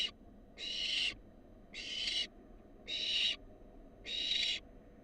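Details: Barn owl fledgling, wild, in a research nest box when a rat is brought in, gives four long rasping hisses of about half a second each, spaced roughly every 1.2 seconds, over quiet background.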